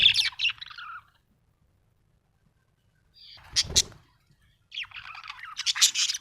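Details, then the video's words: Happy pet budgerigar giving short bursts of high, scratchy chirps and chatter separated by silent gaps, with a sharp rustling or clicking noise in the middle. "Happy budgie chirping sound"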